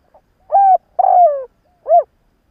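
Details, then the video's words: Spotted dove used as a decoy, calling at dawn to attract others. The phrase is mellow and hooting: a steady coo, a drawn-out falling coo, then a short rounded final note, clean and quiet behind. "Chim cu gáy mồi gáy gù15P sáng kích bổi"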